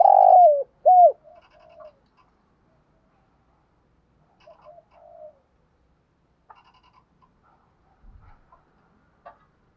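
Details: Spotted dove, called cu gáy or cu cườm, in calling and urging coo styles: two strong low coos, the first long and falling, then only soft muted notes and light taps for the rest.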